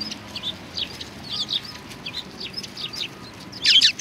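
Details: Group of sparrows arriving for food at a Tenmangu shrine, recorded 25 November 2020; a run of thin, quick chirps repeats steadily, then a loud, noisy burst of chirping near the end.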